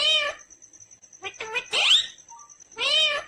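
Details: Indian ringneck green parrot voicing drawn-out, meow-like harmonic calls and clipped syllables, with a steady high hum running through the background.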